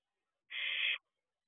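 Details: Single rasping hiss of half a second from a barn owl owlet at its nest box at 4:31 am on 2 June 2023, looking around outside; silence before and after.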